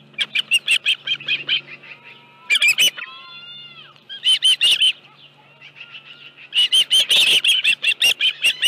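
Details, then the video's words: At Dunrovin Ranch on 25 July 2018, an osprey at the nest holding a live fish gives bursts of fast, high, squealing chirps separated by quieter gaps with fainter, lower whistled tones. "Dunrovin Ranch Osprey Nest Video_2018-07-25_174852-live fish 5.23 PM"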